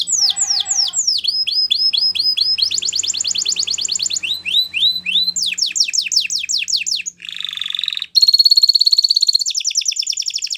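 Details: Canary song for training young canaries, with varied tours: swooping falling notes, a steady fast trill, quick chopped swoops, a buzzy harsh phrase and a thin high pulsed roll at the end.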